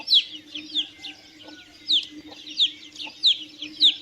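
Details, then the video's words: Chicks giving high, falling peeps at an uneven pace, some louder and some fainter overlapping calls, with a steady low hum in the background. "CANTO E SOM DOS PINTINHOS - PINTINHO PIANDO"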